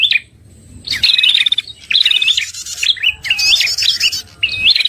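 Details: Prinia trapping lure call kept from earlier bird-catchers, suited to coaxing a prinia gone quiet after moult: short bursts of buzzy, rattling chatter mixed with sharp chirps, following a quiet opening and brief gaps.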